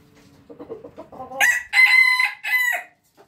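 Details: Rooster giving soft rapid clucks that rise into a loud crow in three bursts: a short opening note, a long bright sustained middle, then a falling final note, ending in near silence.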